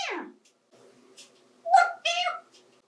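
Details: A 28-year-old adopted African grey parrot talking while playing with toys in the bathtub: a falling squawk, then short voice-like phrases with a bright rising tone, as if mimicking speech.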